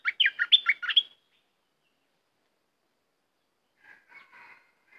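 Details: Red-whiskered bulbul kept caged giving a fast series of bright, rising and falling whistled notes for one second, followed later by a few soft, quieter chattering notes.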